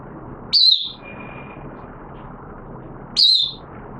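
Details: An oriental white-eye, a hobby cage bird recorded in wet weather on 6 September 2022, utters two separate sharp, high, down-slurred chirps about two and a half seconds apart over a soft background hum.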